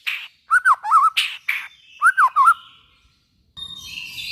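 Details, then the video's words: White-rumped shama song played to prompt other shamas to sing: two repeated wavering whistled phrases with harsh buzzy notes between, ending in faint rustling. "suara burung murai batu buat merangsang bunyi murai batu"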